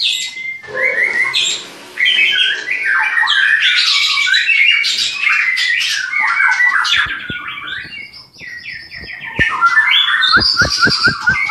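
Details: White-rumped shama from a breeding farm in Klaten, Indonesia, giving a long varied song of slurred whistles and chatter, accompanied by sharp tapping or clicking noises toward the end.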